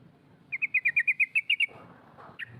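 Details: Female sooty-headed bulbul calling 'cok cok' to provoke rivals: a steady run of about ten repeated clipped notes over a second, then one harsher note, against low background noise.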